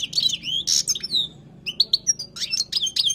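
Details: Wild goldfinch song for tutoring: liquid slurred whistles and a harsh buzzy note, a short gap, then quick clear chirps and twittering phrases over a faint low hum.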